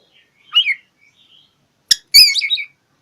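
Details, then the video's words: Oriental magpie-robin singing to seek out and challenge a rival: a quick slurred whistle, then sharp clicks and a burst of bright, jumbled chirps. "Kicau KACER cari LAWAN"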